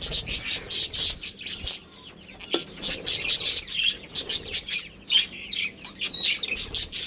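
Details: Budgerigar breeding pair chirping in rapid bursts of sharp, high, scratchy chatter, repeated in quick pulses with short pauses between groups.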